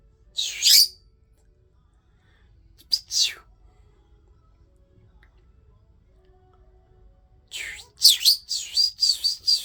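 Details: Rosy-faced lovebird calling: short, shrill, harsh screeches, two single bursts separated by quiet, then a rapid run of piercing, squeaky chirps at the end.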